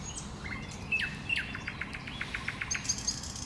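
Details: Common nightingale singing from bushes: a thin sustained whistle, two short clear whistled notes, then a rapid run of about ten repeated dry notes quickening to the end, with faint low rumble behind.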